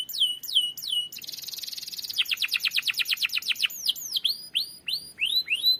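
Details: Canary ngerol song as a lure for a silent bird: looping falling whistles, a buzzy high stretch, a fast rolling run of rapid notes, then rising whistled slurs.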